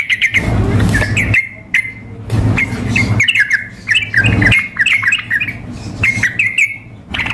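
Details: Sooty-headed bulbul, a female calling the male, mixed with a frantically singing bird for contest simulation; bright chattering notes near one pitch band, with short sliding whistles in quick bursts, broken by loud noisy gusts and a steady low hum.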